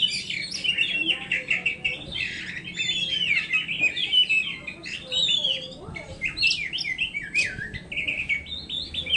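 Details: Oriental magpie-robin of the kacer poci type, song used as bird therapy: a loud, fast run of varied whistles, slurs and chirps, rising and falling in quick bursts with brief pauses, over faint low background hum.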